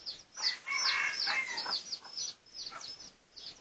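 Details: Red junglefowl of the pradu colour type, research recording made 18 August 2023: a brief, rough, harmonic squawk in the first second and a half, surrounded by high, thin, repeated peeps.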